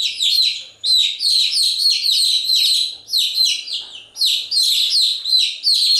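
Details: Continuous chirping from a group of chicks, shrill downward-slurred peeps packed into rapid runs separated by brief pauses, steady and loud throughout.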